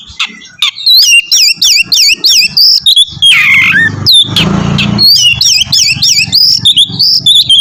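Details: Oriental magpie-robin singing to draw another into song: a fast series of repeated zigzag whistled notes, about three per second, broken by a harsh raspy burst and a loud noisy thump.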